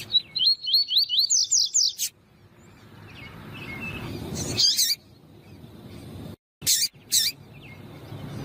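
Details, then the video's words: Female double-collared seedeater calling to excite males, a quick run of upslurred chirps climbing into high buzzy notes, then quieter background with scattered sharp high notes. "PIADO DE FÊMEA DE PAPA CAPIM PARA ESQUENTAR PAPACAPIM"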